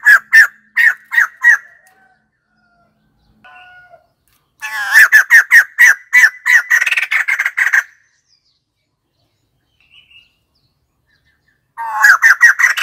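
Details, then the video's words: White-crested laughingthrush giving harsh, cackling notes: five quick strident bursts, a pause with faint soft notes, then a dense three-second rush of raucous chattering, and a fresh loud outburst near the end. "White crested laughingthrush call"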